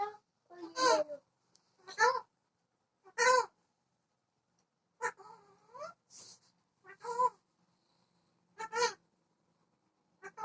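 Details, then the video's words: Parrot talking: short, harsh, voice-like syllables of about half a second, given every one to two seconds, some rising and wavering, with quiet gaps between and no other clear sounds. "parrot talking"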